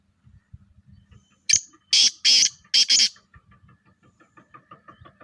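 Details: A black francolin, known locally as kala teetar, of the pure Charngi strain, delivers a strident phrase of four to five hoarse, grating notes. Faint ticking and chirping sounds run before and after the phrase.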